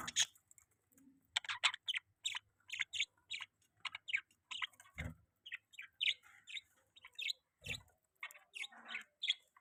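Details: Budgerigar kept as a pet chirping busily: a dense run of short high chirps and warbled notes, nearly continuous, with a couple of low thumps and a faint clicking sound mixed in.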